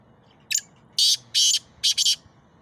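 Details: A Sindhi black francolin (kala teetar) calls loudly: a short thin note, then a loud run of harsh, rasping, grating notes in quick bursts over about a second and a half.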